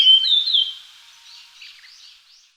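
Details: Japanese grosbeak producing one bright, slurred whistle that wavers up and down, then fades into faint, softer trailing notes.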